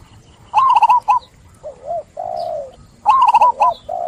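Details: Two bright bursts of fast, chattering coos from a zebra dove, with softer, wavering, lower coos and a long, even coo between them.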